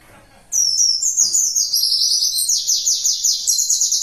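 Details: Warbling white-eye delivering a fierce 'tembakan' (shooting) song burst: after half a second of quiet, a loud, rapid, high twittering stream of slurred notes that steps downward, then rises again near the end. Continuous and dense.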